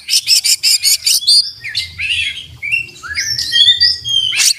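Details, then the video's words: Oriental magpie-robin in full song with bill wide open, delivering a varied song rich in mimicked phrases: a burst of rapid repeated high chips, then a stream of sweet whistles, rising and falling slurs and scratchy trills. "kacer gacor buka paruh full isian dan masteran"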